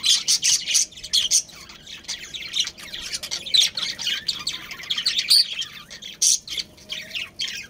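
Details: Chattering budgerigars from a captive breeding pair and colony: continuous bright chirps, squawks and twittering, busy at the start, then thinner and more broken later.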